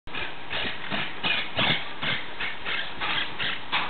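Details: A Monk parakeet (Myiopsitta monachus) gives harsh, grating squawks about twice a second in a steady series, over a constant low rumble of background noise.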